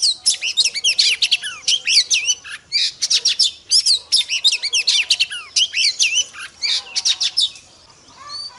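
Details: Oriental magpie-robin; female call; female calling to stimulate males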